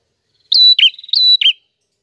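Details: Prinia song phrase given twice in quick succession, each a level high whistle followed by a buzzy falling flourish, with faint chattering between; crisp and isolated.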